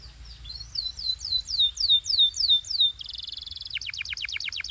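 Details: Training song of a canary: a run of looping, downward-curving whistles about three per second, then a sudden switch to a fast, even, bubbling trill and a rapid pulsed roll.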